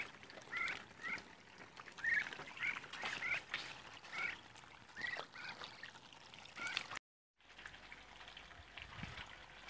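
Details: On day 52 a group of Muscovy ducks repeats brief upslurred whistled peeps about every half second to second for seven seconds, then a brief silent gap and quieter noise.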